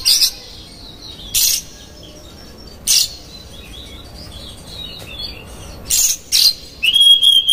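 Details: Lure song of an Oriental magpie-robin meant to make rival magpie-robins agitated: spaced harsh rasps with soft faint warbling between, ending in a steady clear whistle over scratchy chatter.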